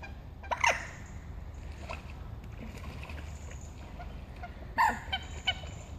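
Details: Two common moorhens fighting seriously on Heslington West lakes give two short, harsh, abrupt calls about four seconds apart, with a few softer clicks between, over a steady low rumble.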